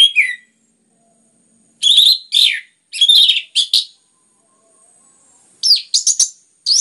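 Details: Kept orange-headed thrush in a lure recording used to make other birds sing: loud, varied phrases of slurred whistles and rich warbles in separate bursts with brief silent gaps.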